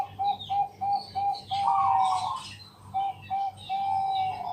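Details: {'caption': 'Zebra dove of the Bangkok type in a night lure recording used to set other doves singing. It gives a string of short, even coo notes, broken by a burst of harsh noise, then more notes. A constant low hum is heard.'}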